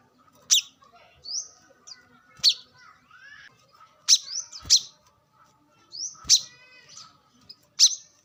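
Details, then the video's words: Wild brown-throated sunbird, recorded to lure and train captive birds, giving spaced high sharp chips and quick upslurred whistles in irregular clusters, with faint background chatter. "kolibri kelapa | manggar | wiceh | pancingan korlap dengan suara asli alam liar gacor"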